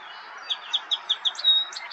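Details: Song Sparrow recorded in May in Ontario, Canada, sings a run of five bright, evenly spaced notes about five per second, then a quick buzzy, varied ending, over a soft steady background hiss.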